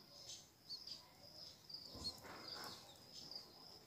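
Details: A bulbul parent feeding its newborn nestlings, which give faint, thin, very high squeaks about every half second; rustling and a brief soft bump midway.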